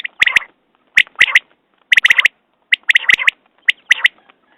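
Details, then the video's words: Quail uttering crisp, clipped whistled notes grouped in twos and threes about once a second, each group followed by a short rasp, against a silent background. "Batair Ki Awaz New Quail sounds 2019"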